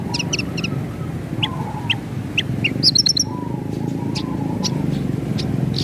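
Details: Javan bush lark in active rolling song with sharp 'nembak' notes, recorded to tutor pet birds: scattered high chirps with a brief dense cluster midway, beside a lower wavering tone and a constant low hum.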